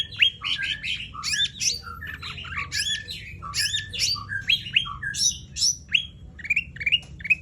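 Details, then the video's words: Sumatran laughingthrush singing in the gacor style with tembakan bursts: a dense, fast run of sharp down-slurred whistles and harsh squawky chirps, notes tumbling over one another for the whole stretch, with a low background hum. "CUCAK RANTE TEMBAKAN JOSS GACOR"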